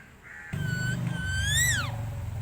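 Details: Pet talking parrot kept at home, said to call crows, sparrows and other birds. It gives a short steady whistle, then a longer clear tone that rises and swoops steeply down, over a constant low hum.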